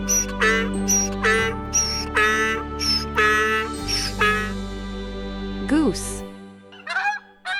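A goose gives a run of nasal, harsh honks about once a second over a steady music bed.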